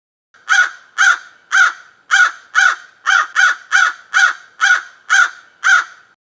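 A crow gives a steady run of about eleven harsh, hoarse caws, roughly two each second, with nothing else audible behind them.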